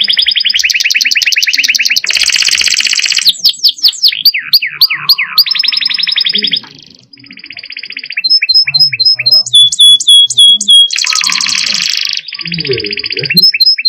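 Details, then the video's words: Canary song with rich varied phrases: rapid buzzy trills alternating with sharp descending whistled notes, clear high pings and a low soft rolled segment, each phrase changing after a second or two; faint low background sounds. "Burung Kenari Gacor Roll Panjang Isian Mewah"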